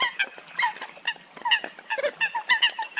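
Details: Several Eurasian coots trading nasal honks and squawks, short downward-sliding notes overlapping in an uneven, chattering flow.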